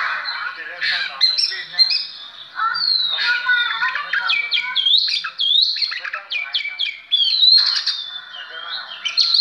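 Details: Continuous varied song of an Oriental magpie-robin: dense run of clear whistles, upslurred and downslurred notes and harsher squawky elements mixed without break.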